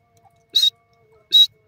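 Two harsh, grating notes from a francolin, each about a fifth of a second long and nearly a second apart, with quiet in between.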